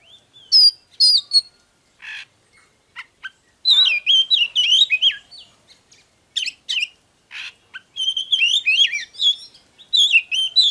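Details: Oriental magpie-robin in full song, used to stimulate birds to sing and fight: varied, rapid whistled phrases with sweeping and warbling notes, delivered in bursts with short pauses between.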